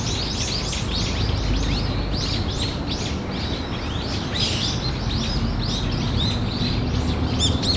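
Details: Brown-eared bulbuls calling around 13:25 on 14 October 2015, taken as a possible earthquake warning: a dense overlapping chorus of short, arched, high chirps, about three or four a second, over a steady low rumble.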